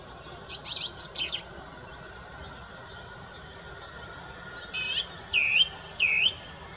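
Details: Song thrush song with a rapid cluster of high, scratchy notes, a long pause, then a clear arched whistled note repeated three times, each under a second apart, against soft steady background noise.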